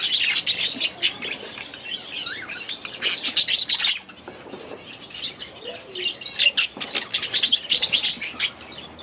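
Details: Several young budgerigars bred last season, in their first days in a new aviary, chatter constantly with rapid high chirps, warbles and short squawks, bursts of activity separated by a quieter patch near the middle.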